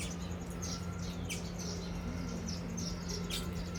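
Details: A flock of Baya weavers, yellow males and brown females, feeding together at breakfast; short high chirps and downslurred squeaky notes scattered irregularly over a steady low hum.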